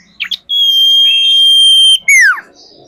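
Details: Female common iora call used as a lure for other birds: a long pure whistle held steady for about one and a half seconds, then a sharp downward-sweeping note, with brief chirps before it.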